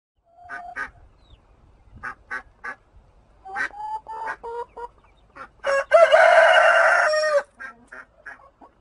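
A rooster crows: a string of short clucking notes builds into a loud, drawn-out harsh crow about a second and a half long, then trails off in brief clucks.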